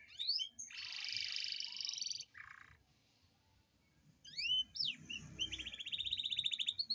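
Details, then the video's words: Captive Atlantic canary singing a long rolling song, played as a lure to get lazy canaries singing: bright sweeping notes, a buzzy sustained roll, a short lower trill, a pause of silence, then rising whistles and a fast rattling roll. "Pancingan kenari gacor ngerol panjang dan pancingan kenari malas bunyi pasti"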